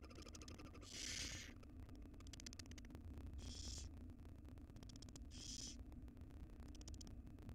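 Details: Wild barn owl nestling in a monitored nest box, around the moment it swallows a rodent; three harsh, breathy hissing bursts, each about half a second long, spaced roughly two seconds apart over a steady low hum.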